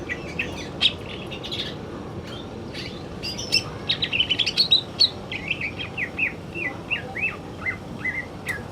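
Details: A male greater green leafbird sings in the afternoon. Varied chirps and clicks open the song, then a long series of short whistled notes, each slurring downward, repeats at a rapid, uneven pace.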